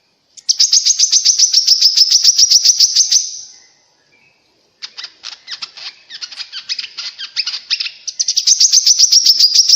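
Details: Grey-cheeked bulbul song for prompting caged birds and attracting wild ones: a long, fast, even series of high chirps, a pause, rough scratchy chatter, then the rapid chirp series again.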